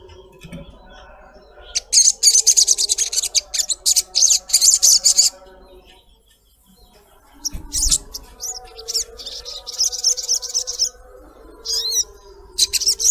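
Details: Female collared kingfisher calling the male, used as a lure to prompt a kept bird to call: bursts of harsh, rapid, high chattering notes, a pause near six seconds, then more chattering runs with faint lower tones beneath.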